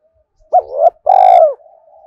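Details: Spotted dove decoy call used to provoke wild males: a short rising note, a slurred hoarse swell, then one long loud steady coo that dips at its close, over a quiet background.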